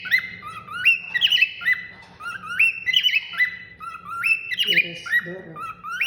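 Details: A pet cockatiel whistles at night in clear rising and stepped phrases, repeated with brief squawky notes.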